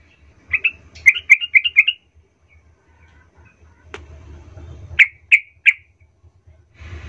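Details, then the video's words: Sooty-headed bulbul provoking song (pancingan trucukan): a quick chattering run of bubbly notes, a click, then three sharp descending chirps over a low background hum. "nggak sampai 10 detik trucukmu Bakal ngamuk Naik darah ramai mendengar pancingan trucukan ini"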